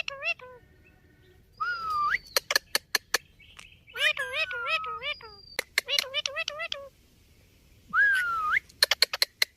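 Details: Pet ringneck parrot chattering speech-like phrases interspersed with crisp clicks, a couple of long rising-falling whistles, and repeated rapid warbled syllables.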